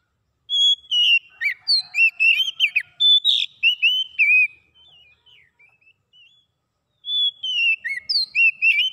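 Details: Clear oriental magpie-robin song used to restore a bird that has stopped singing, prompting it to sing quickly: long pure whistle, then a tumbling string of rising and falling slurred notes, soft twitters, a gap, and another phrase.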